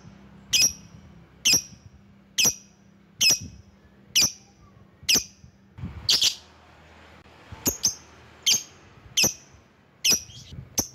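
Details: Lovebird calling to lure rivals: sharp, shrill, high-pitched chips repeated roughly once a second at a steady pace, with a faint low hum indoors.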